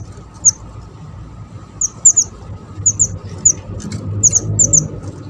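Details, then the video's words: Java sparrow, described as a small lively singer used as a lure for trapping birds: short, sharp, high chips, often in quick pairs, repeated irregularly over a low rural rumble. "burung mantenan kecil / jawa gacor cocok buat pancingan dan mikat"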